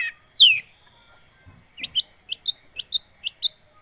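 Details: Lure recording of a long-tailed shrike for triggering song in a silent bird: one loud drawn-out falling squeal, a pause, then about eight short high chips in quick pairs.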